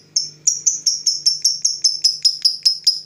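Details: Fighter lovebird provoked by a rival, delivering a steady series of sharp high clipped notes roughly five per second, over a faint low hum.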